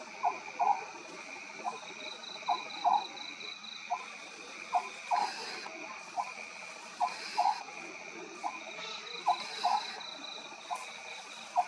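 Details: At night an Oriental scops owl gives a long series of short, croaky, low-pitched notes, often paired, about twenty-seven per minute, with steady buzzing insects in the background.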